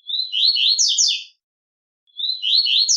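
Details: Double-collared seedeater learning the "tui-tui" song and contesting a played song recording: two quick, high phrases of bright chirping notes, each over a second, separated by brief silence.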